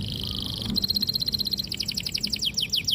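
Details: Canary in vigorous song with a long roll, meant to train young canaries: a brief high buzzy trill changes into evenly repeated sharp notes, about four per second, growing louder.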